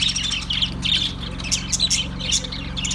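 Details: Budgerigars twittering with rapid squeaky chirps and short warbled phrases that overlap closely, over a low steady background hum.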